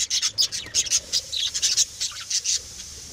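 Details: Pet lovebirds bred at home give a rapid run of shrill, high chirps and squeaky twitters, about four or five notes a second, with no other sounds.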